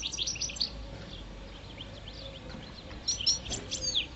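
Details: A five-year-old European goldfinch, parva subspecies, singing during mating season: fast high twittering at the start and again at the end, with a quieter stretch in between and faint low hum.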